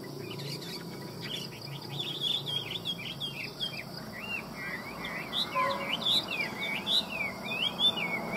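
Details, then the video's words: Chinese hwamei in full song: a lively, varied stream of looping whistled phrases, rising and falling, that grows louder and richer toward the end over a faint constant hiss. "Hoa mi hót giọng hay"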